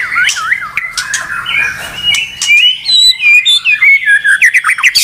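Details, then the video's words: Caged white-rumped shama (murai batu) singing, described as provoked and unable to stop: varied whistled phrases, loops and slurred notes mostly high, ending in a fast run of sharp repeated chirps. "SEKETIKA MURAI BATU MACET BUNYI LANSUNG TERPANCING EMOSI tak mau berhenti"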